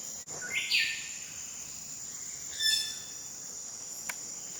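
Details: Wilson's bird-of-paradise, West Papua, late July to mid August: a rasping, rising note, then a second harsh, overtone-laden note about two seconds later, with constant high-pitched insect buzzing and a faint click.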